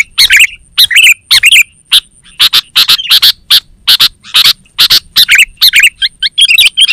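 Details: Kutilang (sooty-headed bulbul) call used as a lure and training master song; quick clusters of harsh, scratchy chirps alternate with short bubbly rising-falling phrases, ending in a burst of thin twittering notes, faint high tone behind.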